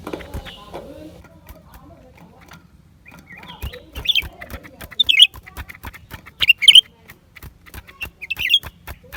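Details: Lesser green leafbird recorded January 2023: a run of short high chirping notes that grows busier toward the end, mixed with soft low warbling at first and constant dry clicks.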